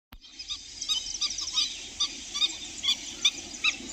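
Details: A Black-winged stilt in Jharkhand, India, gives sharp, nasal, yapping notes, several per second and unevenly spaced, over a steady hiss of background noise.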